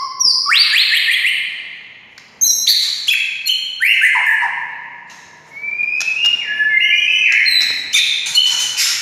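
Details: Lively white-rumped shama song meant to make a quiet shama answer: rich rising and falling whistled phrases broken by quick high chips and trills, in bursts separated by brief pauses.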